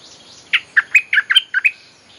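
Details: Bulbul lure song to call wild birds: a single quick phrase of six or seven liquid, slurred chirps, bright and cheerful, with soft hiss behind.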